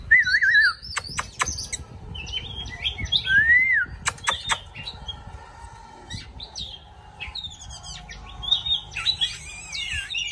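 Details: Oriental magpie-robin singing as it dances: clear wavering whistles and looping slurred phrases broken by sharp clicking bursts, with low background hum.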